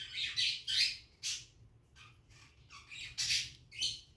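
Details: Cockatiels at a nest, nesting behaviour, producing a series of harsh, scratchy squawks in uneven bursts, some louder and rising, with a steady low hum behind.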